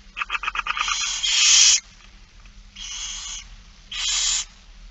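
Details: Feeding-time begging of barn owls at It Fryske Gea, September 2019: a fast series of clicking chitters rising into a long rasping screech, followed by two shorter hissing screeches.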